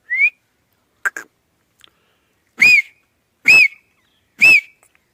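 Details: Grey Francolin, known locally as teetar, in grassland at Rahim Yar Khan: after a few short faint notes, three loud, clear, arched whistles ring out roughly once a second against a quiet background.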